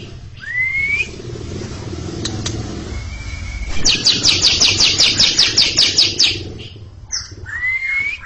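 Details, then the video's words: Greater green leafbird singing long ngekek, ready to roll, in front of a stalled junior bird: rising whistled slurs open and close a run of about a dozen quick, buzzy high chatter notes; low background rumble. "Cucak Ijo ngekek panjang siap ngeroll didepan junior macet"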